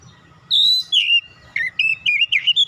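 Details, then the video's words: A young untrained oriental magpie-robin, provoked into song, starts with a long high whistle, then a falling note, then a quick series of short warbled notes that climb in pitch. A steady hum runs underneath. "KACER BAHAN TERPANCING LANGSUNG GACOR"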